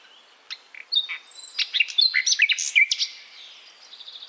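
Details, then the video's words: A nightingale sings a fast, varied phrase of high whistles, sharp chirps and buzzy trills, several notes each second, over faint background hiss. "Nightingale singing"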